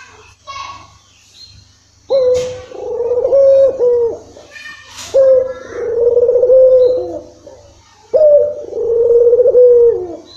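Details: Puter (Barbary dove) cooing as a lure for a reluctant caller; after a short quiet start, three sustained low coos arrive about three seconds apart, each beginning with a sharp onset and gently wavering.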